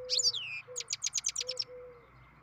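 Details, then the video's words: Captive-bred European goldfinch giving a beginning song: a quick burst of high, bright twittering notes, then a run of about eight short, sharp chips, over a soft, low, steady whistle-like tone. "Ξεκίνημα καρδερίνα εκτροφής (Goldfinch carduelis beginning song)"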